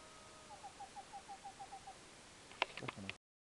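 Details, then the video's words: Gray-capped Cuckoo, rarely reported in Panama, calling from bushes in an Embera community in Darien: a steady run of about ten soft, mid-pitched, evenly spaced, slightly falling notes, then a few sharp knocks or clicks. "Gray-capped Cuckoo calling"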